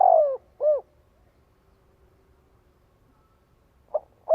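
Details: Spotted dove calling to draw in and gather other doves: two hollow, mellow coos at the start, a long quiet pause, then the start of another coo phrase near the end.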